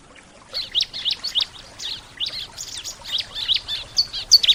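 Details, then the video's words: Bar-winged prinia, known locally as ciblek, sings a run of quick high chirpy notes repeated in a steady series, starting softly and growing louder toward the end, with faint background hiss. "Burung ciblek, suara terapi burung ciblek."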